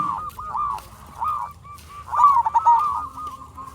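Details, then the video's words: Local zebra dove song for luring and stirring other doves; smooth overlapping coos swell and fade, then a quick rippling trill and a trailing drawn-out note, over soft background noise. "Perkutut Lokal Gacor RAJA PIKAT Ahlinya Bikin Semua Burung Perkutut Nyaut"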